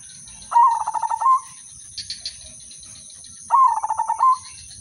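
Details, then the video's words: Two lure-song phrases from an udanmas silver zebra dove, sung to start other doves singing, about three seconds apart: each is a rapid series of throbbing coos ending on a higher sustained note, with soft chirping between. "perkutut/merbok udanmas silver irama merdu spesialis pancingan bikin semua perkutut ikut manggung"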